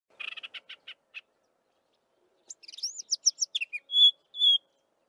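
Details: Chestnut-vented warbler singing its melodious song: a short buzzy chatter of rapid notes, then a bright run of high sweeping whistled notes ending in two pure sustained whistles.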